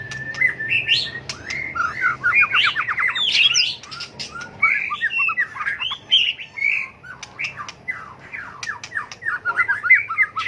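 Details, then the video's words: White-rumped shama, flicking its tail, singing competitive fighting song for bird training; an opening whistle, a fast run of notes, then tumbling warbles and clipped repeated phrases. "chòe lửa tạch đuôi hót đấu kích chim cực đỉnh, luyện chim hót đấu hay"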